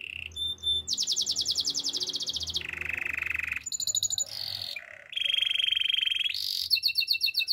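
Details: Canary singing a fast, varied song of rolling trills in short blocks, switching between high buzzy tours, lower churring rolls and clipped whistles, each run lasting about a second.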